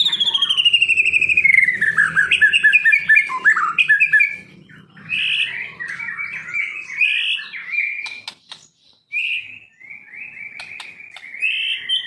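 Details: Captive white-rumped shama song: a loud descending whistled run, then varied warbled and scratchy phrases broken by short pauses and a few sharp clicks.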